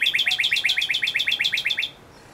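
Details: A male northern cardinal delivers a rapid train of about fifteen identical short slurred whistles, evenly spaced, ending abruptly and leaving near silence.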